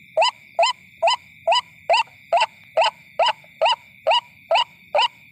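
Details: White-breasted waterhen (ruak-ruak) lure call, used by bird trappers to draw the birds in at night: short upslurred croaking notes repeated steadily, about two per second, over a constant high shrill insect-like drone.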